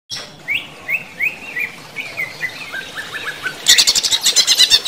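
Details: Greater green leafbird kept as a songbird, singing during running-water therapy: a series of clear slurred whistles rising and falling, then a dense, rapid chattering trill in the final second.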